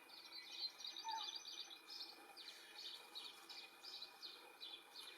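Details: European goldfinch in the wild, building its nest and feeding its young; quick, bright twittering chirps in repeated high bursts, with a single lower whistled note near the start, over faint steady background hiss.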